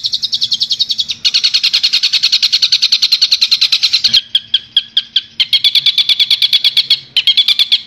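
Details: Long-tailed shrike from Madura, Indonesia, in a master song for training songbirds: long runs of dense, scratchy, rapidly repeated notes, thinning into spaced sharp chips midway, then quickening again in bursts.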